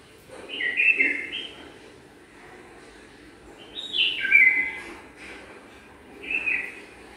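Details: Bulbul pair preparing their nest in a garden; three short bright chirped phrases, each a quick burst of descending warbled notes, separated by pauses of about two to three seconds against quiet background noise.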